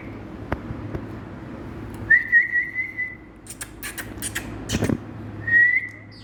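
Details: Talking Indian parrot, a rose-ringed parakeet, whistling two drawn-out, slightly wavering level tones separated by a cluster of clicks and taps. A low hum sits in the background.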